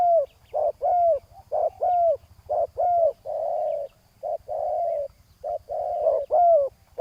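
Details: Ground decoy session for spotted doves, a rival answering: quick runs of short coos with bright descending-arched notes, about one a second, interspersed with longer flat, rough coos; faint low throb behind.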